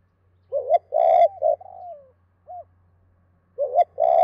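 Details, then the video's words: Spotted dove calling to a hen in the two-beat cooing pattern. Three deep coos and a sliding tail note are followed by an isolated short coo, then the phrase starts again. A faint low hum sits underneath. "Chim cu gáy 2 cốt và thúc lợi cốt kích bổi"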